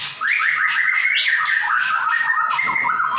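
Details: Singing white-rumped shama kept in a cage, its song offered as a model for other birds: a continuous stream of stepped whistled notes with a steady pulse of sharp clicks throughout.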